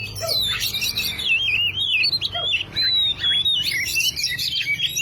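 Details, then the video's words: Oriental magpie-robin singing, played as a lure to provoke a silent bird: long sweeping whistles rising and falling, mixed with rapid trilled notes and a couple of short lower chirps. "Pancingan kacer macet // PANCINGAN bunyi burung kacer macet."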